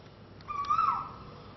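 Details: Koel heard early in the morning in Thailand: one fairly faint whistled note that rises smoothly and then slips down, set against a steady hiss of background noise.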